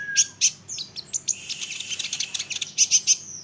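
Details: Song of an olive-backed sunbird, meant to make other sunbirds respond: a short low whistle opens into a dense, twittering run of high, sharp chips and trills.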